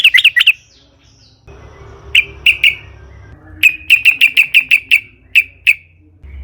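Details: Sooty-headed bulbul giving a lure song meant to set other bulbuls singing, in long rolling style: a short fast flurry, a gap, then spaced bright chirps speeding into a rapid repeated series, with faint background hum.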